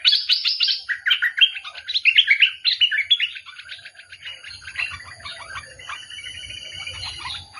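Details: Chattering, warbled bulbul song, loud and busy at first, then trailing into softer, more distant twittering over a low rumbling background.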